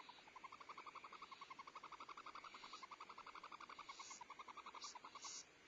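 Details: Barn owl (Tyto alba) at a nest with owlets, 14 February 2011, while the female feeds owlets and the male delivers prey: a fast, steady run of short nasal chittering twitters, about eight a second, with faint higher squeaks near the end.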